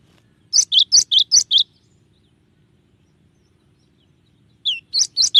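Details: Cinereous tit (gelatik batu) singing 'tembakan' variations for keepers: a quick series of five sharp, two-part whistled notes, then after a three-second gap a slurred note and three more crisp notes.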